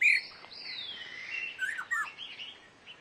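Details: Black-necklaced scimitar babbler recorded at Dagangshan, Taiwan, in July 2011: a loud sharp chirp opens, followed by varied whistled and slurred notes, some rising, others falling, with bright clipped chirps near the end.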